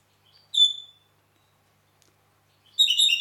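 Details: Red-rumped parakeet recorded in Heraklion, Crete: a clear whistled note near the start, then a brief burst of bright, warbled, stacked notes at the end, with silence between.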